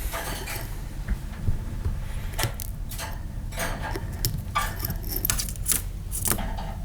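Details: Indoor clatter of soft knocks, taps and rustling bursts in a small room, with a low steady hum underneath and no clear voice.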